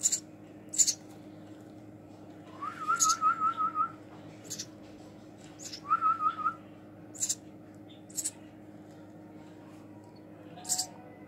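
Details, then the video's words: Young house sparrow during hand feeding, giving scattered raspy high squeaks, while a person twice whistles a wavering trilled phrase; quiet indoor hum behind. "Hand Feeding baby House Sparrow"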